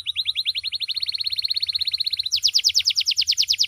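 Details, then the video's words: Canary, a loud and melodious singer used as a master bird for others, gives an even, rapid trill of high chirps that steadily quickens, then switches to a louder, coarser, higher trill. "Suara Burung Kenari Gacoorr"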